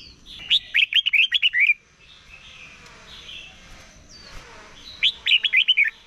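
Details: Red-whiskered bulbul in morning competition singing, used to train the voice of a wild-caught bird: two bright, fluttering phrases of about six quick whistled notes, separated by a quiet gap with faint background hiss.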